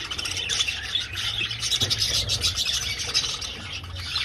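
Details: Budgerigars flying around an old breeding aviary. Continuous overlapping warbles, squeaks and chirps from a crowd of birds form a thick, steady wall of high sound.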